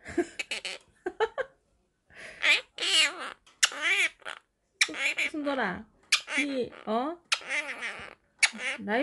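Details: Pet blue Quaker parrot talking and singing, producing a rapid series of speech-like syllables with wavering, bending tones and short pauses between phrases, in a quiet indoor setting.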